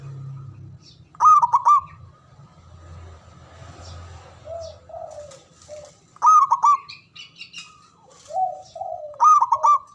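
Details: Local Javanese zebra dove song, loud with long breath, meant to make rivals answer; three stuttered ringing phrases spaced about four seconds apart, softer lower coos in between.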